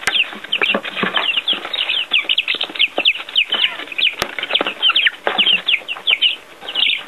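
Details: A group of baby chicks outdoors for the first time with earthworms, peeping steadily in high, falling notes from many birds at once over faint rustling.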